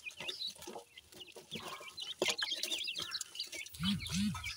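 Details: Grey francolin chicks feeding, giving soft high peeps in scattered runs amid clicks, with two low arched sounds near the end.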